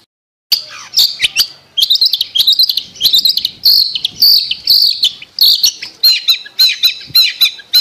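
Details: Cendet, or long-tailed shrike, lure song meant to restart a bird that stopped singing: after a brief silence, bursts of harsh, high chattering notes repeated roughly twice per second with a scratchy, rasping quality.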